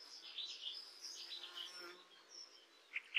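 A songbird gives a rapid, high-pitched warble of tumbling notes, then two sharp chirps at the end.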